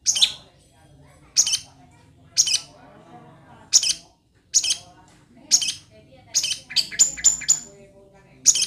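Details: Long-tailed shrike in aggressive singing form of the kind sought by songbird hobbyists; harsh, high scratchy notes delivered in separate bursts about once a second, ending with a quick run of clipped chips.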